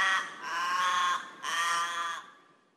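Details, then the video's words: Raven of Australia, Oceania and Southeast Asia: two long, drawn-out, rasping wails, each over half a second, the second trailing off into a fading, strangled end. "Ворон. Австралия. Океания. Ю-В Азия. Голоса птиц"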